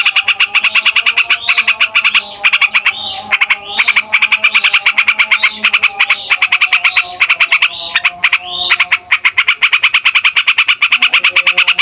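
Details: Yellow-vented bulbul in a long noisy roll meant to spur other bulbuls to sing: rapid dense buzzy trills, interrupted by a few swooping notes, then resuming at full speed.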